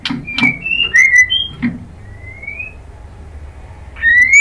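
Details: Female white-rumped shama calling the male, used as a lure to rouse males into answering: short clear whistles near one pitch, a slurred note, then a long rising whistle and another rising note at the end, with soft clicks between.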